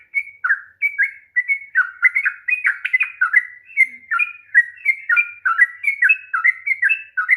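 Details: A sooty-headed bulbul's long 'ropel' singing, used to stimulate a bird reluctant to sing: quick, chattering, warbled whistle phrases running continuously throughout.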